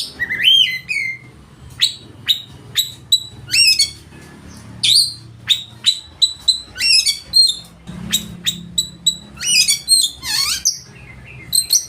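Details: Oriental magpie-robin singing loudly with a varied repertoire: an opening whistled phrase, then a long series of short sharp high notes and a buzzy descending rattle.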